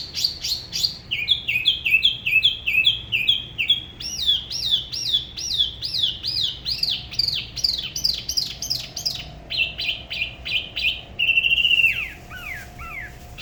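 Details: A Da Lat spot-throated babbler near the La Ba river sings a varied solo: series of quick repeated downslurred whistles, shifting pitch between phrases, ending with a few falling notes.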